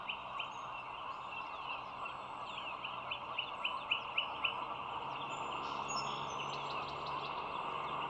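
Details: Bald eagle at a nest camera over the Dulles Greenway, 25 March 2022, 07:16: a run of about eight short, thin, rising whistled notes, roughly four per second, over a steady roar of traffic, with faint small-bird chirps.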